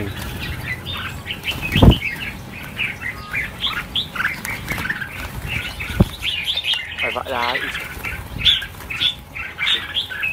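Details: A flock of red-whiskered bulbuls being released, about a thousand birds, pours out overlapping chirps and squeaky warbles, broken by a few sharp thuds and a brief lower droning sound.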